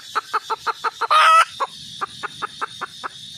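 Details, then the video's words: Red junglefowl hen: quick clucks, then a loud grating squawk lasting a third of a second, followed by more spaced-out clucks over a low rumble. "suab poj qaib tsauj zoo heev"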